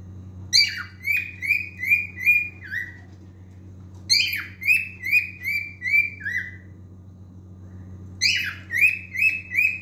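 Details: Three phrases of singing from a male cockatiel, each opening with a strong downslurred whistle followed by several evenly paced ringing notes, a steady low hum underneath.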